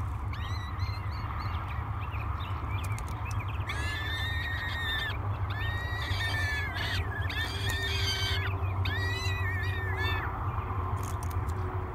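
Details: At breakfast on 24 May 2022, three peregrine falcon chicks at Great Spirit Bluff beg for food before a live camera; quiet at first, then a run of loud, rasping, harmonic wails, each about a second long, over low steady rumble.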